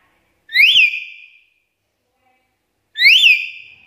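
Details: Black-capped lory, recorded as a lure and training call for other lories: two loud, harsh whistled screeches, each rising then falling, about two and a half seconds apart, with silence between.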